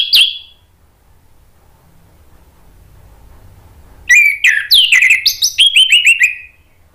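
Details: Anis merah, the Orange-headed thrush, singing to coax silent thrushes into song: one brief high note, a long near-silent gap, then a rich burst of varied whistles, buzzy slurs and a descending string of quick repeated notes.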